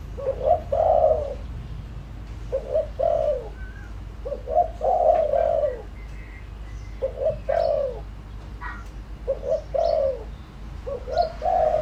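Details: Decoy spotted dove giving a lure call meant to draw in wild doves: low, mellow cooing phrases, each a couple of short notes then a longer downward-sliding coo, repeated about every two seconds.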